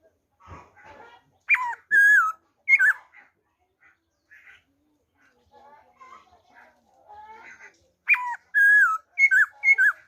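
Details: On 26 December 2020 a black-throated laughingthrush sings in wild style: strong looping whistles and downward slurs in two bursts, with quieter scratchy chatter and soft notes filling the gap between them.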